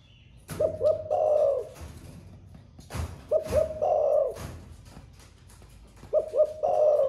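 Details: Spotted dove in a cage singing in thổ pha voice, newly cooing all day long: three phrases of two clipped notes and an extended rough coo, separated by loud knocking and thuds.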